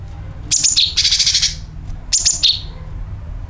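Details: Sooty-headed bulbul calling and rattling, used as a bird-attracting lure: a shrill downslurred phrase, then a harsh buzzy churr lasting about half a second, then another bright falling phrase.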